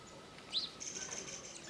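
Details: A Slaty-headed parakeet at Pangot, India, in November 2023, gives one brief, shrill, squeaky note, followed by a faint, thin high whine that trails off against quiet background hiss.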